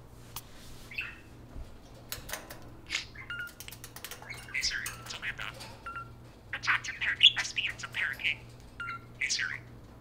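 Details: Two parakeets kept as pets take turns talking at a spoon: rapid warbling chirps and squeaky twittering, with scattered ticks that grow into a dense run of rising and falling notes toward the end, over a low steady hum.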